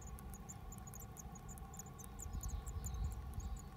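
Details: Japanese tit at the mailbox of a home, 9 May 2020: a rapid run of thin, very high squeaky notes, about two a second, over a steady low hum and rumble.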